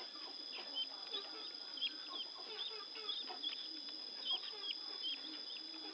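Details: Newly hatched helmeted guineafowl chicks give many soft, high peeping chirps repeated every half second or so over a constant high-pitched hum, with faint music in the background.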